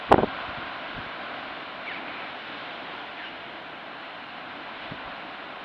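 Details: Camera-trap recording of a sharp knock at the start, followed by even wind or surf rush with a few soft thumps and no animal voices.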